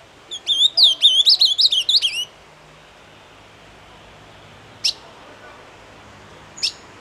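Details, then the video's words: A 'doce amargo' song from an ultramarine grosbeak: a quick string of sweet, looping whistled notes for nearly two seconds, followed by silence broken by two brief sharp ticks. "AZULÃO DOCE AMARGO"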